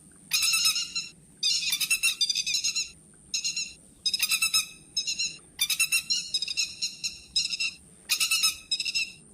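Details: Harsh, buzzy rattling bursts of grey-headed lapwing, played as a lure for trapping with nets at night, come in about six groups, under a steady thin high-pitched whine.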